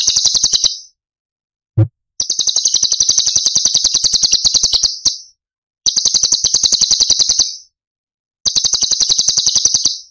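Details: Cucak cungkok tembakan song in Cililin style for masteran use: long, fast, high rattling trills up to three seconds, separated by short silences, with one brief low knock near the start.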